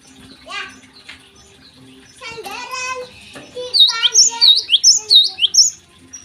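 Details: Java sparrow heard singing in the morning, with rasping, layered churr notes first, followed by a steady series of bright, swooping, ringing notes toward the end.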